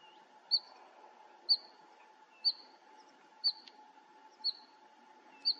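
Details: Bluethroat singing at Fokstumyr nature reserve in 2021: short, high, sharp notes, some with a hooked upward slur, repeated about once a second, over a low steady hum and faint background noise.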